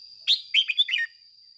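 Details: Red-whiskered bulbul decoy in captivity sings a short, rich phrase of four or five quick, tumbling whistled notes, the 'ché' style used to spur other bulbuls into song. A faint steady high tone lies underneath.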